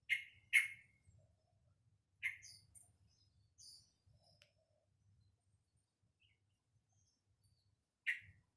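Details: Young sooty-headed bulbul in captivity practising its song: a quick pair of sharp chirps, then scattered thin high twitters and another chirp, with long quiet gaps.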